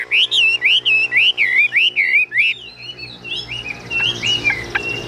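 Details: Tame Chinese hwamei kept in a cage. It repeats the same looping whistled note about six times in a steady series, then drops to softer, thinner notes mixed with a faint background hum.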